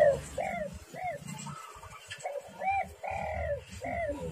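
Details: Spotted dove calling, recorded as a lure to provoke other doves into calling as if against a rival; a series of soft arched coos with rising-falling tone, repeated roughly every half second, over a low rumbling background.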